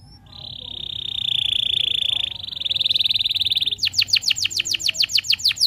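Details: Canary tutor song (masteran) used to get other canaries singing. A long, steady, buzzy rolled trill holds for more than three seconds, then breaks into loud, repeated, down-slurred whistled strokes.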